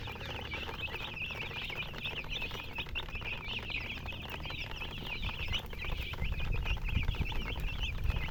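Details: Baby chickens chirping in a dense, rapid series of high peeps, about four per second, with low rumbling noise that grows toward the end.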